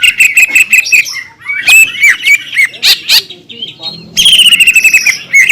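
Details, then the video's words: Green leafbird pouring out aggressive lure song to stir rival leafbirds: rapid high whistles and crackling clicks, a scratchier stretch in the middle, then a sudden bright, trilled run. "PANCINGAN CUCAK IJO GACOR,SUARA NYA BIKIN BURUNG CUCAK IJO LAIN LANGSUNG EMOSI"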